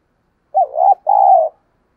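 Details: Lure spotted dove in captivity cooing to draw wild doves: a single phrase of a rising, wavering first syllable and a sustained, even second coo, low and hollow, in otherwise silent surroundings.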